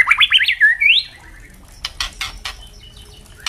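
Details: Juvenile and adult white-rumped shamas in captivity, singing the open 'ngeplong' style used to train other birds: a fast run of bright, leaping whistled notes, then a series of sharp crackling clicks.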